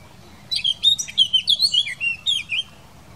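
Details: Eurasian blackcap (Sylvia atricapilla) singing in the Wittlich valley, Germany, in 2018: a quick, rich warble of varied clear, high notes for about two seconds, over a faint low background rumble.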